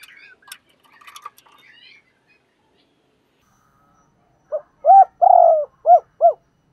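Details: Decoy spotted dove cooing to stir up rival doves. Faint high chirps and clicks come first, then a quiet pause. A run of low coos follows: short rising notes, one longer drawn coo, then two more short coos in quick succession.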